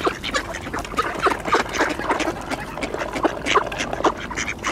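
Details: Mallards gathered at a shrinking ice hole, quacking for position as bird seed is spread, with coots alongside; rapid, irregular bursts of loud nasal quacks, several birds calling over one another.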